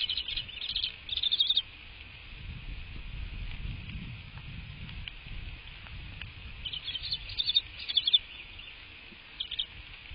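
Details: Bald eagle heard from a live nest cam on the morning of 22 March 2024. Two bursts of quick, high, thin chattering notes come near the start and around the middle. A brief chirp follows at the end, with low rumbling between.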